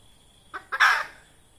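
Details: Red junglefowl hen used as a trapping lure: two short clucks lead straight into a loud, harsh, broadband squawk lasting about half a second, over a quiet background with a faint high whine.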